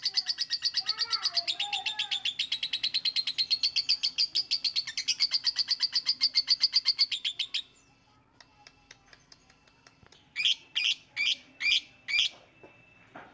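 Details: Lovebird ngekek-style singing, a long fast rattling trill of rapid repeated high notes lasting about seven seconds, then a pause and a short run of six sharp chirps.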